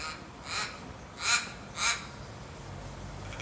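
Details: Australian crow giving three harsh, broad caws spaced about half a second apart, the middle and last louder, over a steady hiss of background noise.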